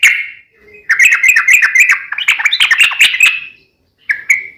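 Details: Long 'ropel panjang' song of a yellow-vented bulbul, played to lure other bulbuls into replying: a dense, chattering stream of bubbly warbled notes rising and falling for about three seconds, then a short whistled phrase.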